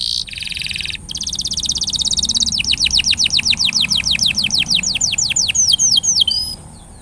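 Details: Canary song used as a lure to get a silent canary singing more often: a short buzzy trill opens, then a long run of rapid, high, down-slurred whistled notes, about three per second, ending in sharper chips.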